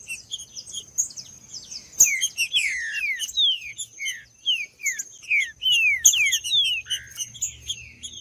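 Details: Green-winged saltator song played to warm up and stimulate a silent bird: rapid, dense series of clear descending whistled slurs, overlapping and repeated about twice a second, over a steady high thin tone and brief sharp clicks.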